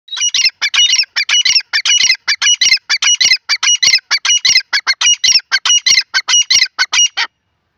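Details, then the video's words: Francolin (teetar) from Pakistan giving harsh, squawking notes in rapid, slightly uneven bursts, repeated about every half second for seven seconds, with a clean background and no other sounds. "the teeter ki awaz of pakistan best teeter bird sounds"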